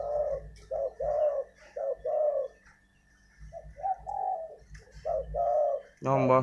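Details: Spotted dove kept as a decoy bird, cooing: soft, low, hollow coos delivered in a rhythmic series of short grouped notes, a pause, then another run, with a steady low hum behind and a sudden noise at the end.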